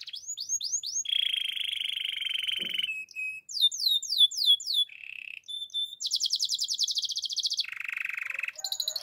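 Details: Russian canary song in varied tours: quick slurred whistles, a long even buzzing trill, brief chips, a series of descending strokes, then a high rapid rattle and a lower buzzy roll.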